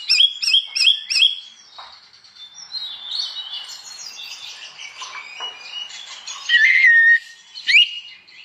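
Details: An Oriental magpie-robin sings vigorously in the morning, ngeplong style, meant to make other magpie-robins sing too. It opens with four rapid repeated notes, then gives jumbled scratchy phrases and a sustained clear whistle.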